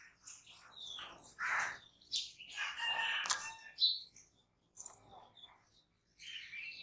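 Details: Jungle babbler chatter, a burst of loud, rasping, overlapping notes through the middle, framed by quieter squeaky calls and a few high whistles.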